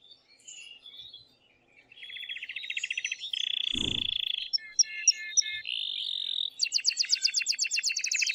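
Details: Male canary, aroused and singing strongly to encourage a female to mate: soft notes give way to buzzy trills, a sustained whistle, a few pips and a fast bright pulsing trill.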